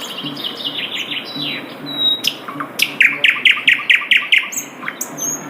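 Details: Asian brown flycatcher singing in the wild: a run of thin descending high whistles, then a lively series of sharp, downward-sweeping chirps repeated about twice a second.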